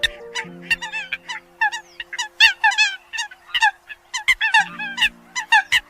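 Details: Eurasian coot calling: a dense chorus of short, nasal, honking notes with bright harmonics, repeated rapidly and overlapping as if from several birds, with a faint steady low hum underneath.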